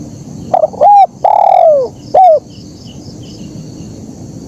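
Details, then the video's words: Spotted dove in full 'kuk 1' song: a quick stammered opening note, a short curved coo, a long drawn-out descending coo, and a crisp falling coo, followed by quiet with a faint high hum. "Suara Burung Kicau Terkukur Gacor KUK 1"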